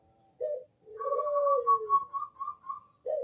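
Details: Bangkok zebra dove singing to lure other doves into calling: soft, low cooing, one coo sliding down in pitch, over a higher, steady, pulsing coo note repeated several times.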